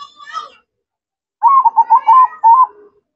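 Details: Zebra dove in full song: a faint opening note, silence, then a loud series of about five rapid, evenly rolling coo pulses ending in a low soft note.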